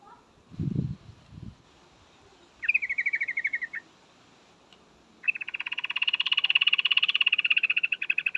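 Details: Yellow-vented bulbul female calling to attract a male. Over steady background hiss, a rapid chattering trill lasts about a second, then a much longer, continuous run of fast repeated notes follows. A low thump is heard early on.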